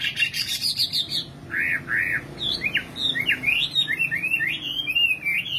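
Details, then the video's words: Nightingale singing a loud rattling trill, two rounded whistled notes, then a lively series of rising and falling chirps and twitters. "Singing nightingale. amazing bird song"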